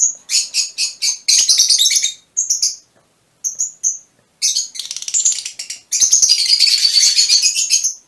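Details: Repeated high squeaks open, then rolling shrill chatter from mutation Fischer's lovebirds, with short pauses between bursts.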